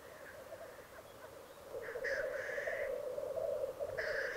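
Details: Lekking black grouse in the Italian Alps of Piedmont: a continuous low rolling bubble is overlaid by several harsh, breathy hisses, one after another, in the second half.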